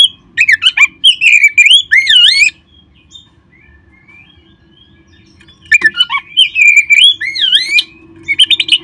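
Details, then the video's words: Magpie-robin song meant to stir caged birds into singing: fluid, looping whistles and quick chirps in two lively bursts around a quiet stretch, with a faint low hum throughout. "perangsang terb4ik jadikan Kacer Anda nge-play gacor seketika"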